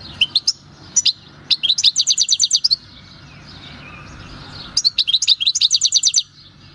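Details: Wild-caught European goldfinch, captured in 2018 at El Paso, giving its natural field song: a few sharp opening chirps, then rapid even trills of bright twittering notes, a pause, and another trilled burst.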